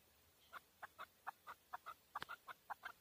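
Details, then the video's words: Male chukar partridge from Tajikistan, 2020, giving a quieter, somewhat uneven string of short clucking notes spaced roughly a quarter second apart, over a soft background hiss. "Нар Кабки Шикори (Садои кабки Шикори) 2020. Каменная Куропатка (Кеклик) в Таджикистане 2020. KEKLIK"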